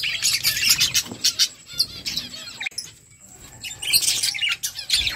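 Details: Budgies chirping as a flock while eating, overlapping buzzy warbles and thin squeaks, a brief lull midway before the chatter swells again.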